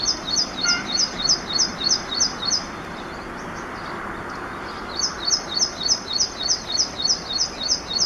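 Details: Ashy prinia (Prinia socialis) giving quick, high, sharp notes about three per second in two bursts, with a brief pause between, over a low background rumble.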